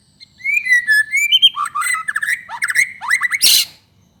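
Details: Singing white-rumped shama, recorded to provoke other shamas: varied whistled phrases, then fast rattling trills and downward sweeps, ending in a harsh, noisy burst.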